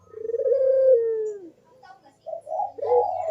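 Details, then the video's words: Barbary dove giving the 'kuk deruk' manggung coo, used as a lure for doves that rarely call: a long, smooth coo that slowly falls, a short pause, then quick throaty notes. A soft low hum is heard. "KUK DERUK BURUNG PUTER GACOR MANGGUNG"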